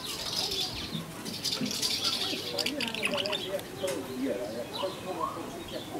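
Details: A swallow at its nest in Trzebież, 2019, twitters in quick, high, chattering bursts, with a low murmur of what may be a human voice underneath.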